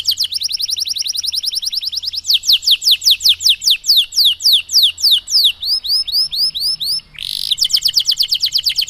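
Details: Canary in long 'cengkok mewah' song, played to teach canaries to sing: a buzzy high trill, then loud descending strokes, a row of arched chips, a harsh burst, and a rapid even trill to finish.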